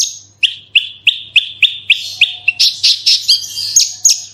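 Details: Lure song of a Horsfield's bushlark, meant to prompt other birds to sing: seven or eight crisp upslurred chirps about three per second, then a quicker jumble of higher buzzy notes and a sustained thin whistle, with a soft background hum.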